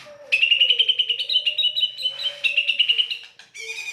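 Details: ['Harsh-style white-rumped shama song for stimulating singing: a fast, even chatter of repeated high notes in level bursts, over a steady low tone running beneath.']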